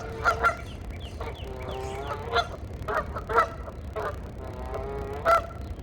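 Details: Geese talking with each other in a mating call, with loud nasal honks at irregular intervals and softer drawn-out, wavering calls between them, over a low rumble.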